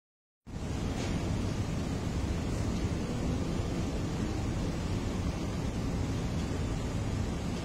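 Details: Silence gives way to continuous broadband rushing noise, like wind or engine roar, with no animal calls.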